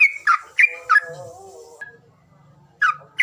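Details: Lure call for birds that are reluctant to sing: three sharp, falling chirps in quick succession, a soft wavering tone between them, a quiet gap, then two more chirps.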